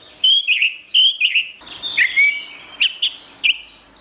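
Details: Orange-headed thrush singing, recorded to train songbirds: clear, repeated whistled phrases with quick twisting ends, a long smooth rising whistle, then short bright notes spaced about half a second apart over soft high chatter.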